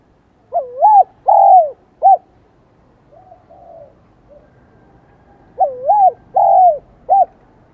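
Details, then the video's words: Vietnamese spotted dove of the high 'son' voice type, beginning to respond to a decoy: a three-note cooing phrase of wavering, long falling and short notes, soft murmurs, then the same phrase again. "Tiếng chim cu gáy Giọng Son chớm nổi kích bổi"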